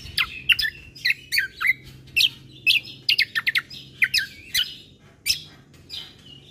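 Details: Combo bulbul song meant to rouse birds that hear it: scattered sharp, downslurred chirps and short whistled notes in loose clusters, separated by brief pauses.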